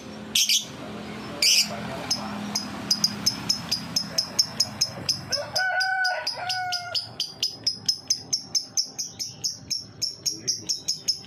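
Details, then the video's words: Lovebird ngetik song as a lure for young lovebirds: a long run of rapid, sharp, high ticks repeated steadily like typing, briefly joined midway by a lower, clearer harmonic call. A low hum sits underneath. "Burung Lovebird ngetik pancingan lovbird paud"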